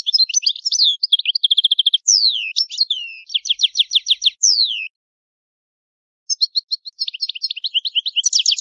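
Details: Italian goldfinch singing the old-style song: a long varied phrase of twitters, buzzy trills and downward slurs, a silence of over a second, then renewed bright twittering; no other sounds.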